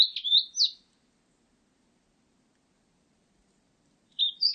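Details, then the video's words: Blue-and-white Flycatcher, 2020: a quick phrase of sharp, high warbled notes opens, silence for about three seconds, then another short phrase of high, twisting whistles. "큰유리새, 1번 듣기, 곤충소리, 새소리"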